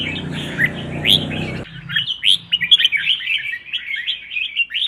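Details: Red-whiskered bulbul in contest training, competitive singing: rapid chain of short whistled and slurred notes, some sharply rising, with a low background hum in the first part that then cuts out.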